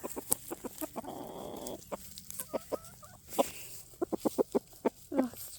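Pekin bantam hens give short, soft clucks, scattered irregularly and sometimes in quick runs, with a brief rustling burst and a faint voice in the background.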